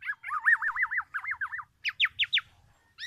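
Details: Black-naped oriole challenging other orioles with borrowed oriental magpie-robin phrases: rolling, warbled notes looping up and down in a smooth series, then four quick upswept whistles and a final short note.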